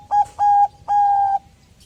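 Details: Zebra dove of Bangkok type, a chatty singer meant to spur other doves into song, gives two short, clear, hollow coos followed by one longer sustained coo on the same steady pitch.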